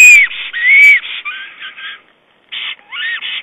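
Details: Black stork on a nest camera, 22 April 2009, calling its mate during nest building with twigs and moss. Two long, arched whistles, then softer, lower notes, a short pause, and a final upward-sweeping whistle.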